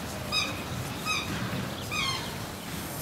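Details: A pair of black swans in Germany courting in December, keeping their Australian breeding rhythm and synchronising behaviour before pairing: three short, clear, harmonic musical bugling notes, about one a second, over steady outdoor background rush.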